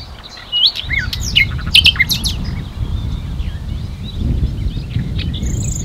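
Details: Common nightingale (Luscinia megarhynchos) singing at NSG Ahsewiesen nature reserve at 11:50 on 1 June 2019: a quick burst of varied whistles, slurred notes and clicks, then softer phrases trail off over a low, steady rumble.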